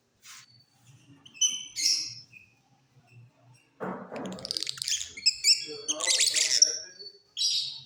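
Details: Mutation lovebirds singing in a flight cage during the off season; a quiet start with faint notes, then a busy stretch of sharp, squeaky, high chirps and buzzy twitters that builds toward the end.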